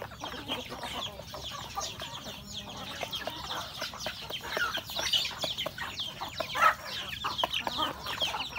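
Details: Home-kept rural chickens, roosters and hens, eating breakfast: soft scattered clucks and murmurs over steady pecking taps and rustling.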